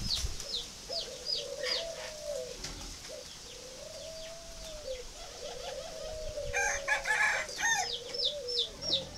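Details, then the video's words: Spotted dove of the northern 'phấn hồng' type, kept at a breeding aviary in Ba Vì, northern Vietnam. It gives low, hollow cooing phrases of gently rising and falling notes. A bird repeats quick high chirps behind it, and a brief clatter is heard. "chim cu gáy hay phấn hồng miền bắc"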